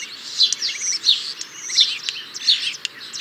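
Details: Song of a European starling: high, squeaky slurred notes and clicks repeating in a loose rhythm roughly every 0.7 seconds, with a faint hiss underneath.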